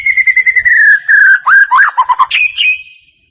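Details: White-rumped shama lure to trigger singing: a rapid string of short whistled pulses on one pitch, then swooping warbled notes and a final higher whistle fading out.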